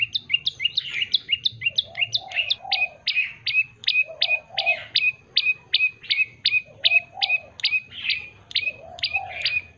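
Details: Long, energetic song of a yellow-bellied prinia: rapid sharp chip notes repeated nearly three per second for the whole stretch, with brief soft, lower mellow notes from another bird in the background at intervals.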